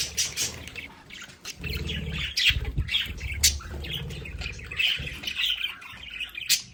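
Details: Pet budgerigars in their play area at home, chirping and chattering in bright, scratchy warbles with squawky notes, accompanied by dull low thumps and rustling from movement.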